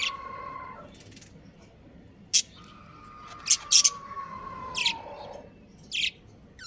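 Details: Pet budgerigars, a breeding pair, chirping: scattered short, piercing high tweets, two coming in quick succession, against a quieter drawn-out crowing note in the background.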